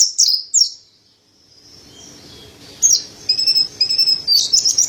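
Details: . Mountain white-eye, called pleci dada putih or montanus, in an energetic tutor recording used to train songbirds. Two thin high chirps, a quiet pause, then rapid high twittering notes and sweeping whistles resume near the end.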